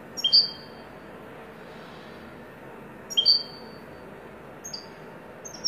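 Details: European goldfinch, wedani song style, giving short sharp two-part chirps spaced about three seconds apart. Fainter clipped notes follow near the end, with quiet background hiss between.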